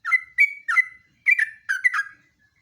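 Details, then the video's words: Sooty-headed bulbul song in the rapid ngeropel style, recorded as a lure and master. Five loud, bubbly phrases follow closely, each a sharp burst trailing into a level whistle. "BURUNG JOGJOG/TRUCUK NGEROPEL"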